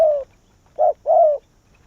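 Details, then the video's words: Vietnamese decoy spotted dove calling wild doves to its tree: a falling coo, a brief pause, then a short rounded note and a longer drawn-out coo, with nothing else audible. "Cu Gáy Việt Rút Bổi Về Chung Tàn | suara burung tekukur"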